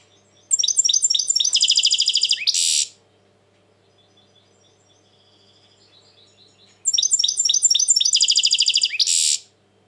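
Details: European goldfinch, described as very tense these days, singing two loud bursts of rapid, evenly repeated high chirps that run into a dense buzzy trill and end in a harsh rasp. Quiet pauses separate the bursts.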